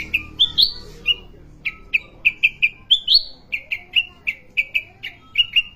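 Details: Caged sooty-headed bulbul sings a rapid string of clear chirps, about two or three each second, mostly on one level pitch with a few brighter rising whistles mixed in; a faint hum runs beneath.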